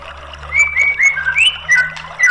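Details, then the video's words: Lure song of a White-rumped shama, meant to make a silent bird sing: a string of pure, slightly rising whistles with a few higher squeaks between them. "PANCINGAN MURAI BATU MACET BUNYI biar NYAUT jadi GACOR"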